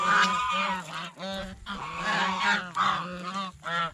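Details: Quick nasal honks, nearly three a second, come from geese feeding on bread and fresh vegetables at a fish pond, calls overlapping in a noisy flock chorus.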